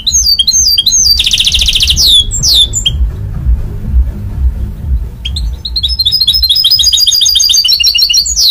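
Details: A goldfinch mule, the hybrid of a goldfinch and a canary, delivers sweeping whistled slurs and a dense buzzy trill, pauses for a couple of seconds, then resumes with quick repeated high twittering phrases.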